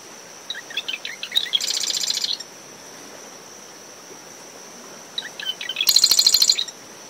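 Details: Marsh wren singing twice near a nest in coastal dunes on a windy morning after a storm. Each song is a run of ticking notes bursting into a rapid, buzzy rattle, the two about four seconds apart. Cricket tone and surf throughout.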